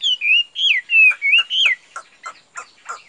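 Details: Chinese hwamei kept for sale sings clear, fluty whistled phrases that rise and fall in smooth loops, then breaks into a few short, sharp, evenly spaced notes.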